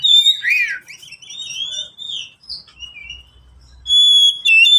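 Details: Pet oriental magpie-robin song played to prompt lazy caged birds to sing: a swooping downward whistle, a string of varied warbles growing softer, low background rumble, then a loud sustained whistled note.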